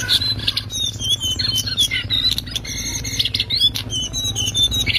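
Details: Master recording of a lesser shortwing singing loud ngriwik: busy, continuous high whistled and chattering notes with sharp clicks between phrases, underlaid by a faint low hum.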